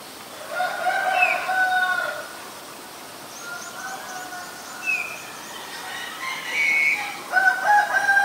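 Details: Black-collared Starling at Ubon Ratchathani, Thailand, on 10 February 2023, giving loud, drawn-out, nasal calls in three bursts with short upslurred whistles between, faint high bird notes behind.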